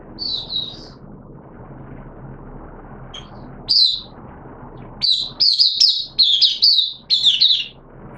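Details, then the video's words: Caged oriental white-eye kept as a hobby songbird, opening song in wet weather on 6 September 2022: a thin high warble, a pause, then a burst of quick sweet chirps clustered near the end over a soft low hum. "Mata Puteh T Rex Buka Sing"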